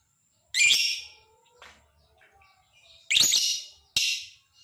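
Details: Lovebird ngekek chatter used to draw other lovebirds into song: two long harsh, buzzy screeches about two and a half seconds apart, then a shorter sharp screech, with faint chatter between.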